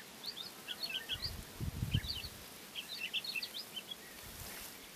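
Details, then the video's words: Woodlark, Lullula arborea, singing softly while preening its feathers; quiet clusters of short high chirped notes in scattered bursts, with a brief low rumble of background noise midway. "Woodlark brushes its feathers and sings softly"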